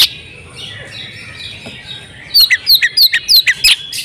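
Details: Female oriental magpie-robin in breeding condition, calling to get males singing. Two seconds of faint background hiss, then a brisk series of about eight loud, sharp downslurred chips.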